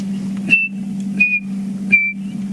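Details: Chinspot Batis giving three clear, pure whistled notes, each sliding slightly down, under a second apart, during the morning song period after the dawn chorus, on a sunrise safari drive, over a steady low engine hum.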